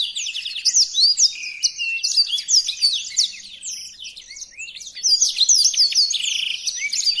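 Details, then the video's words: Blackthroat song for training songbirds: bright, rapid twitters and swooping whistles, softening briefly after the middle before a loud burst of varied notes that includes a buzzy trilled phrase. "Burung Blackthroat Original untuk Pemasteran"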